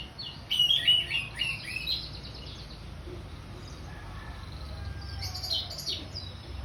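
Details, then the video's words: Orange-headed thrush giving ngeplong song: a loud opening run of clear whistles and quick chattering notes, then softer scattered phrases and a final bright burst, over faint low rumble. "Anis merah ngeplong"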